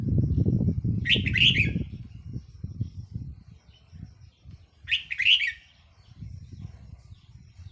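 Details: Decoy red-whiskered bulbul, 4 May 2023, delivering two quick bubbling whistled phrases about four seconds apart against a steady low rumble.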